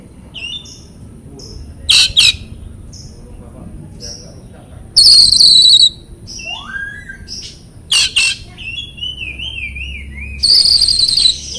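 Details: Song from an oriental magpie-robin used to coax mute birds: scattered thin whistles and harsh chatter, a rising slurred note, a wavering whistled phrase, and loud grating trills.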